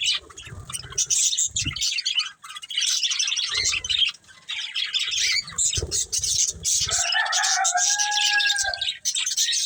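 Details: Breeding pair of budgerigars chattering with scratchy high chirps and harsh squawks, then a couple of lower drawn-out whistled calls near the end, with some low thumps in the background.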